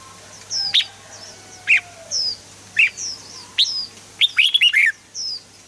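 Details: Red-whiskered bulbul, used to set birds singing: single rich, whistled notes about once a second, then a fast burst of four warbled notes, with high thin downslurred chirps between.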